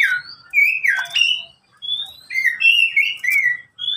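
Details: Pet Oriental magpie-robin kept caged alongside two others that call back and forth, giving clear slurred whistles, rising and falling notes in short phrases separated by brief silences; recording meant as a master song to train reluctant birds.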